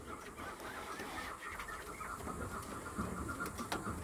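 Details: Two-month-old young chukar partridges give a fast, steady run of clucking chuk notes in the mid range, with a faint hum and noise behind them.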